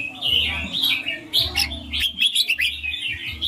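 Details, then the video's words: Sweet, clear red-whiskered bulbul ring-style song: a flowing series of whistled, slurred chirps with several sharp accented notes, a steady low hum persisting beneath. "นกกรงหัวจุกร้องริง เสียงชัด เสียงเพราะ"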